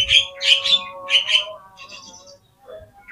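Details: Oriental magpie-robin song used as a lure to make other magpie-robins answer and spread their tails: loud, bright whistled bursts in quick pairs, then fading softer notes over a steady low tonal hum.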